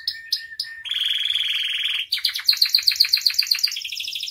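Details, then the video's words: Canary singing constantly with a full repertoire, meant for tutoring and provoking other canaries: a few short chips, a long even buzzy trill, then quick rising notes repeated about four times a second. "SUARA KENARI AMPUH [#15] MASTERAN DAN PANCINGAN KENARI GACOR FULL ISIAN"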